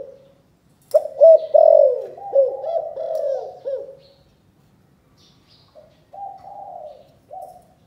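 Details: Can Tho spotted dove in the 'chụp chụp ô' calling style: one full phrase of clipped stuttering notes and loud, falling coos, then a pause, followed by a quieter, level hummed note and a short final coo.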